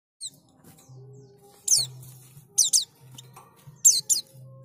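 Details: White-eye lure recording, played to prompt other white-eyes into opening their beaks and singing: three short bursts of very high, downward-sweeping chirps spaced about a second apart, over a faint low hum.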